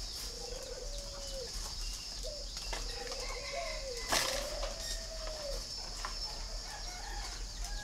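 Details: Spotted dove at a farm in Ba Vì, Vietnam, a red-billed, yellow-legged bird, uttering soft, drawn-out coos in short bursts, one loud clack near the middle and a persistent high hiss behind.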